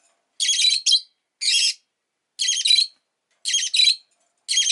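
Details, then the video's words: A rosy-faced lovebird utters five strident, buzzy chirp bursts, many split into two quick pulses, repeated about every second with brief pauses. "Lovebird Chirping Sounds"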